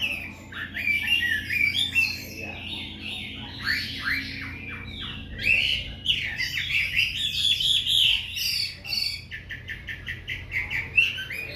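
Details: White-rumped shama in breeding, singing vigorously in the afternoon: a continuous run of varied loud whistles, slurred rising and falling notes and rapid chattering phrases, with a low background hum.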